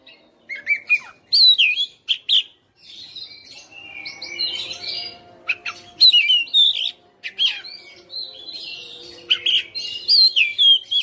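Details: Caged Oriental magpie-robin (kacer rumahan) in persistent fighter style, singing freely and showing its repertoire of fill notes: loud whistled phrases with sharp rising and falling notes and buzzy bursts, in bouts with short pauses; faint low steady hum behind.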